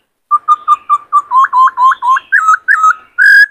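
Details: White-cheeked laughingthrush male, kept caged and fired up to sing and dance while training a wild-caught bird. A quick run of about a dozen clear whistled notes, steady at first, then bending upward and rising, ending in a sustained higher whistle.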